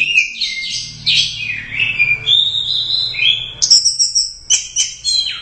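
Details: Orange-headed thrush, a first-place winner at a Royal Cup songbird contest, singing a loud, varied song of rich whistles, slurred notes and high bright phrases, with quick chattering bursts and sharp sweeping notes near the end; faint low hum beneath.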